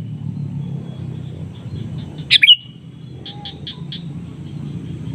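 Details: One loud, abrupt, falling call from a sooty-headed bulbul calling a rival, followed by a soft series of short chips, with a steady low rumble throughout.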